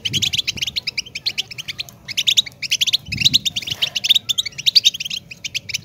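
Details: European goldfinch giving lively bursts of bright, rapid tinkling notes, phrases repeated after short pauses, with soft low thumps in the background.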